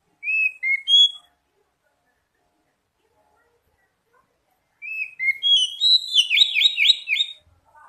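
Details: Oriental magpie-robin song played as a lure to make young birds sing: three clear whistles, a pause of several seconds, then a long, fast phrase of rising whistles and dense rolling notes.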